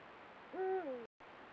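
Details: Sunset camera-trap recording of a Eurasian eagle-owl pair: one loud, steady hoot that holds its pitch and then slurs downward, followed by a brief dropout.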